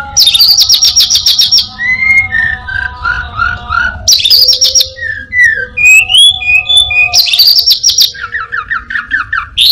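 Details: Orange-headed thrush in full mimicking song, imitating prinias, a cat and other birds: bursts of dense buzzy trills alternate with sweet slurred whistles and falling notes, delivered rapidly and continuously with faint music behind.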